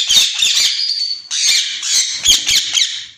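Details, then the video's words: Two captive white ringneck parakeets for sale screech almost without pause, the shrill, grating calls broken by a brief dip before resuming with rapid rasping pulses. "White ringneck pair"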